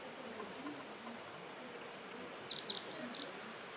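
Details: Rock bunting singing at Penha Garcia, Idanha-a-Nova, Portugal: a brisk burst of about ten very high, thin, twittering notes packed into under two seconds, jumping up and down in pitch, over faint steady background hiss.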